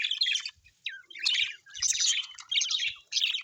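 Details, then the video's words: Happy pet budgerigars (Australian budgies) chatter in dense, scratchy bursts of high chirps and warbles, each half a second to a second long, with brief pauses between. "Happy budgies chirping sound l parakeet's sounds"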